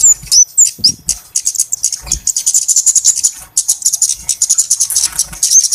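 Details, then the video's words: Busy flowerpecker lure call used to attract birds for trapping. Dense, very high, dry ticking chirps run almost without pause, with bright slurred whistles at the start and end and faint low thumps. "SUARA PIKAT BURUNG KEMADE RIBUT/ BURUNG CABE-CABEAN"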